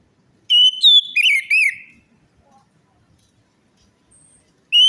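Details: Orange-headed thrush singing, played as a lure to encourage a reluctant or stressed bird to sing: a quick run of clear, fluting whistled phrases with twisting notes, a long pause, then a new phrase starting.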